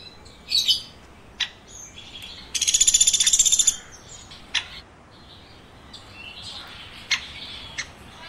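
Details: Woodpecker chirping with one short burst of rapid, high, buzzy pulses about a second long, surrounded by scattered sharp ticks and faint soft calls.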